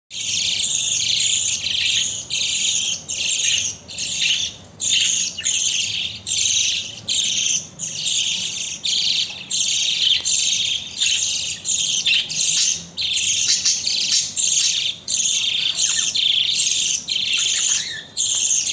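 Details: Budgerigar chicks give a continuous stream of high, raspy chirps as they beg while their father feeds them.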